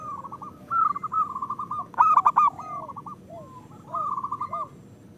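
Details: ['Rolling, soft coo notes from a local zebra dove, played to coax lazy birds to sing, with one louder ringing phrase near the middle and faint downslurred notes between.']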